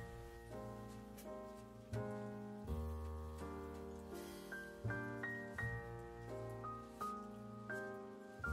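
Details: Instrumental music with steady sustained chords and a plucked melody changing roughly every second, and no animal sound heard.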